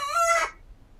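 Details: Rooster crowing while dueling with another: only the final half-second of a harmonic, strained crow is heard, fading quickly into quiet.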